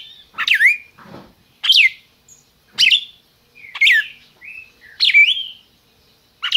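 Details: Captive red-crested cardinal kept by a licensed breeder in Brazil, calling and singing: loud, sharp downslurred phrases that rise and then fall, about one per second with brief pauses between, plus a faint low rustle.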